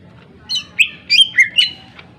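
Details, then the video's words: Greater green leafbird song, used as a lure to get other birds singing and agitated: a brief string of sharp, high chirped and slurred notes, with a few quick rising and falling whistles, over faint background hum. "cucak ijo gacor full suara tajam cocok untuk pancingan agar burung gacor dan emosi"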